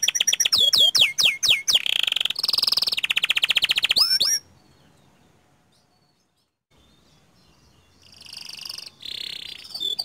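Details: Panda canary in rolling song with long shots: quick repeated swooping whistles and buzzy rolls for about four seconds, then quiet before the trilling starts again softly and builds.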